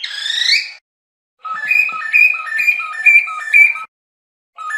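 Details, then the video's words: Cockatiel song: a rising whistle, then a steady phrase of alternating low and high whistled notes repeated about twice a second, like a simple see-saw tune. "تغريد طائر الكروان أو الكوكتيل"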